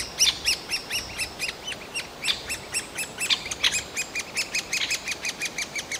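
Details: Great spotted woodpecker young calling from the nest hole to be fed, a day or two before fledging, Yekaterinburg forest park, 28.06.2018: rapid, insistent chattering of rising-falling squeaks, interrupted by a few harsher, brighter calls.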